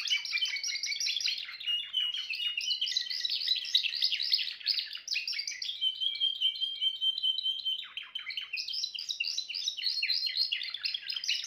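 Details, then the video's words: Long Timbrado canary song: rapid rolling trills, then an extended level whistled tone held for nearly two seconds, followed by a return to fast, bubbling phrases. "meilleur chant canari l chant canari timbrado"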